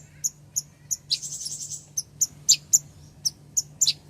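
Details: Female ruby-cheeked sunbird calling the male: single sharp high chips spaced roughly every third of a second, interrupted by a short buzzy trill, faint steady hum in the background.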